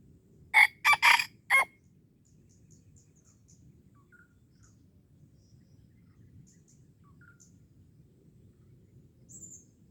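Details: Red junglefowl at Darul Kamal, Aceh, heard while being lured: an abrupt, rasping crow of three to four tight bursts at the start, followed by long quiet with faint chirps of small birds.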